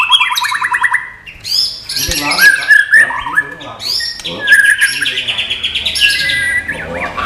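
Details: Loud white-rumped shama song that opens with a fast buzzy trill of rapid repeated notes, then moves into high clear whistles, scratchy squawks and sliding tones.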